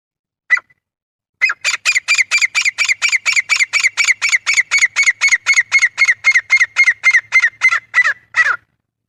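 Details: Grey francolin (desi teetar) calling, a natural recording hunters use to lure other francolins: one harsh note, a pause, then a long loud series of rasping notes about four per second for seven seconds.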